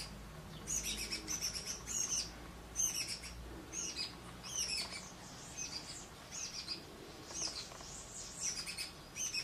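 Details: Shiny cowbird chick, a brood parasite, being fed by its rufous-collared sparrow foster parent: bursts of high, thin, squeaky chirps repeated rapidly through the clip, with brief pauses between bouts.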